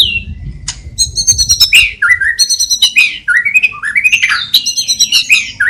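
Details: White-rumped shama in energetic song studded with imitations of sparrow, lovebird and kapas tembak calls. Rapid series of rising whistled slurs alternate with tinny, rattling high notes, delivered in quick, varied bursts close to the recorder.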